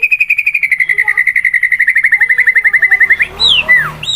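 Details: White-rumped shama song variation judged in bird competitions, used as training material: a fast, even trill of about forty notes holding steady in pitch for three seconds, then a few sharp sweeping whistles over faint background noise.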